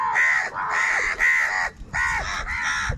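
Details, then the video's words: Angry crows fighting for food: a run of five loud, harsh, grating caws, each about half a second long, delivered almost back to back with brief gaps between them. "Crow birds unity anger and Sound | কাকের ডাক Crow Sound Crow ki Awaz Loudly"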